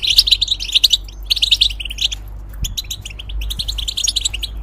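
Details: Caged European goldfinch used as a song tutor for hybrids: rapid, liquid chattering phrases, louder at the start, then softer tinkling notes after a short break, with a faint low hum behind.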